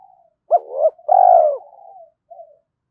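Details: Spotted dove cooing at early morning to provoke fighting and lure: faint soft coo, then one loud phrase of a sharp double note and a long full coo, fading into soft murmurs.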